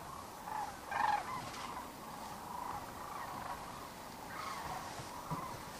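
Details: Sandhill cranes heading to roost on the Platte River near Kearney, Nebraska, on a March evening: a soft, continuous chorus of many trilling calls, with one louder rattle near the start.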